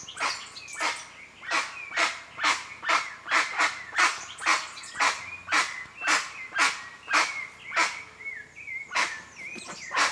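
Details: Steady run of hoarse, broadband honks from a wild guan, roughly two per second for ten seconds, while another bird whistles sliding notes underneath.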